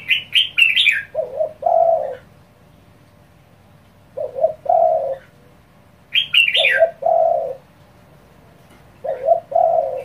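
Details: Spotted dove giving fast, driving calls meant to provoke other doves: low hoarse two-part coos repeated about every two to three seconds, three phrases, alternating with bursts of high sharp chirps from another bird.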